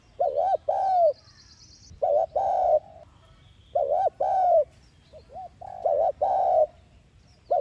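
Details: Spotted dove (cu gáy) lure coos, repeated about every two seconds: deep, rounded double coos, short then long, in a steady rhythm, with brief high chirps of another bird in the background.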